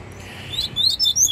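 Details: Caged double-collared seedeater, a strong, fierce contest bird, gives a quick burst of high, sharp chirped notes, several bright phrases packed into under a second over a faint background hum.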